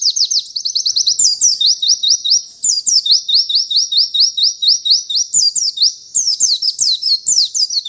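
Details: White-eye delivering a lively, continuous song: fast chattering bursts alternating with runs of thin upslurred whistles, high and energetic throughout.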